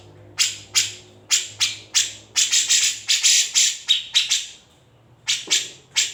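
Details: Grey-cheeked bulbul master song, recorded without editing: spaced, explosive scratchy notes, some in quick pairs, building into a harsh burst, a pause, then a few more rasping notes over a faint low hum.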